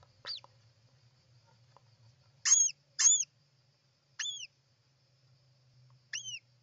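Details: European roller at its nest on 29 June 2024: a few separate short, rasping calls, each ending in a sharp downward hook, spaced irregularly over a quiet low hum.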